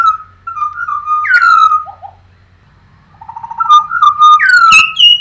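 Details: Australian birds singing: loud, clear whistled phrases with sliding notes and warbled trills, a short pause, then more fluting descending whistles and sharp clicks.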